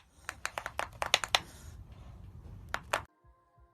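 Quick dry taps and clicks like typing or handling objects indoors, then a low steady hum after a cutoff, with no animal calls.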